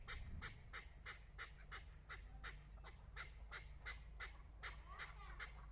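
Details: Hunting decoy chukar calling to a female partridge: an even, rhythmic string of rough clucking notes, roughly three per second, sustained for the whole stretch over a low hum.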